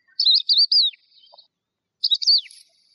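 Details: Lark song: two bursts of high, rapidly warbled and looping notes, each trailing off in a brief downward slur, separated by about a second of silence.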